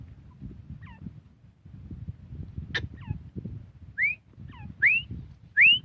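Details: Grey francolin (desi teetar) calling: after a few faint, doubled short notes, three loud rising whistled notes come near the end, each sweeping upward, over a low rumbling background.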